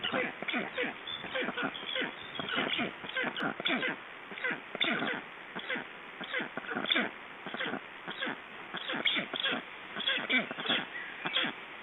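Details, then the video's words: Ringing session of black storks, Estonia, 29.06.2012; hoarse, cough-like wheezing notes repeated in uneven runs of about one per second, steady throughout with no other clear sounds. "Estonian Black Storks - Ringing part 2"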